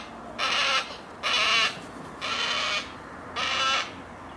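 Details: Juvenile yellow-tailed black cockatoo perched at the edge of a vegetable garden in Australia while its parents feed from a seed tray nearby, recorded close: four drawn-out, harsh, wheezy screeches, each about half a second, roughly one per second.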